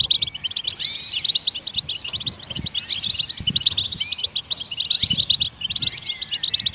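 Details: Singing goldfinch, used to encourage other songbirds: an unbroken stream of high, rapid chirps, buzzy trills and swooping slurred notes, busy and tinkling; low bumps in the background.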